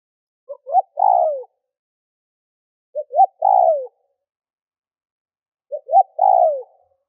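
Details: Spotted dove used to provoke wild birds coos three times at regular intervals. Each phrase has a faint note and a short note, then a loud long coo sliding down in pitch.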